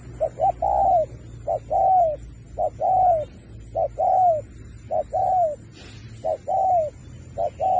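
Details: Spotted dove competing in a 2024 singing match in the Thúc kèm Bo style with varied phrasing. Quick paired lead notes precede mellow, arching, drawn-out coos. About eight phrases are repeated roughly every second, with a faint click midway and steady hiss.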